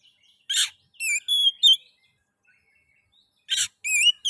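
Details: Oriental magpie-robin singing, meant to prompt other magpie-robins into song: a harsh rasping burst, then several clear whistled notes, a pause, and another rasp followed by whistles.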